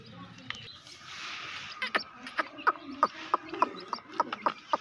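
Grey francolin chicks give short, sharp peeps, about three a second, starting after a quiet opening, over a soft background hiss.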